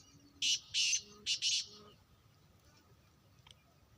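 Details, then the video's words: Sindh, Pakistan recording of a black francolin: four scratchy, buzzy notes in a grating rhythm, then a long quiet stretch ending with a brief sharp click. "Kala Teeter sindh Pakistan"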